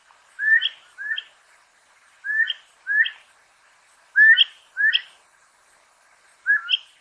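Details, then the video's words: Elegant crested tinamou (Eudromia elegans), a ground-dwelling shrubland bird of southern Chile and Argentina, giving paired whistled two-note calls, a lower slurred note jumping to a higher one, in loose bursts against a quiet background. "SOM DE MARTINETA ELEGANTE (Eudromia elegans) elegant crested-tinamou"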